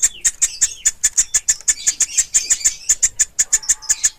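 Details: Woodpecker nestlings begging; a continuous run of high, piercing chip notes, roughly four to five per second, steady and insistent throughout with little variation.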